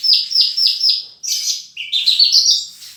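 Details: Horsfield's bush lark singing a full song with mimicked phrases: four rapid repeated high buzzy notes, then a harsh rasping burst and a quick rising series of sharp chirps.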